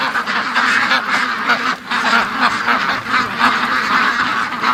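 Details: Morning rush of free-range ducks: many birds quacking together in an unbroken, raspy chorus, loud throughout with brief slight dips in volume.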